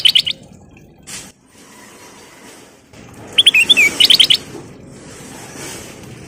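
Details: Sooty-headed bulbul singing persistently as a lure recording: short bursts of bright, rapid chirped notes in quick runs, separated by quiet gaps with low background rumble.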